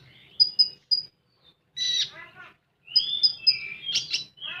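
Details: Common iora giving full tembakan song: three crisp high whistled notes, a harsh buzzy phrase with descending warbles, then a run of high whistles leading into sliding notes and rough bursts.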